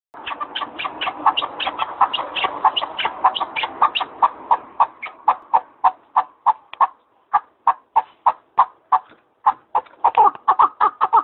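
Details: Partridge from Arguvan, Turkey, giving a long run of rapid, harsh, clucking notes that are dense and overlapping at first, then become evenly spaced separate chucks about four per second, with a brief pause midway.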